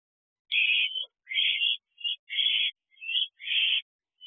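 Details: Two barn owl owlets in an owl box on 6/12/23 at 9:22 pm, returning to the nest box at night: harsh, hissing screeches of about half a second, six bursts with short irregular gaps, no other sounds.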